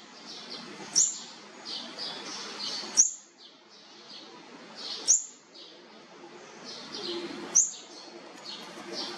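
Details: Olive-backed sunbird chicks of a fourth brood, around feeding, give thin, very high, sharp chirps, four of them spaced roughly two seconds apart, over a steady background hiss.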